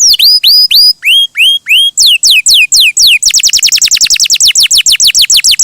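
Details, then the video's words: Canary song opening with slow, paired swooping whistles, then rising tempo into a very rapid, buzzy-edged trill of falling notes. "Suara Burung Kenari!!! GACOR MERDU"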